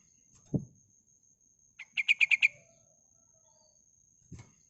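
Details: A female yellow-vented bulbul gives a short rattling burst of five rapid notes, a call meant to lure males. Dull thumps come before and after it, and a faint steady high tone runs throughout.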